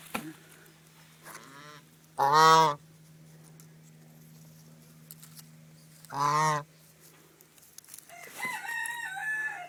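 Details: Penned domestic Chinese geese, including a knobbed gander, kept as layers: two loud, drawn-out, rich brassy honks about four seconds apart, softer nasal calls between them, and a steady low mechanical hum throughout.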